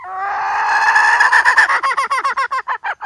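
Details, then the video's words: Hen calling, offered as bait audio for trapping. A long, smooth, drawn note breaks into a quick series of clipped, repeated notes that grow more separated toward the end. "suab poj qaib seev zoo cuab mp3"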